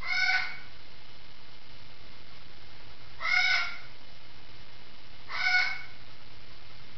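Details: Three harsh, grating squawks from a parrot in the next room, spaced about two to three seconds apart, with a faint low electrical hum underneath.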